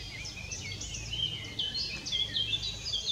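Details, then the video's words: Long-tailed tits recorded at Spieckern, Wuppertal Beyenburg, in 2021: a busy stream of thin, high chirps and short trilled notes from several birds, overlapping irregularly, over a steady low engine-like hum. "Long-tailed tit Schwanzmeise"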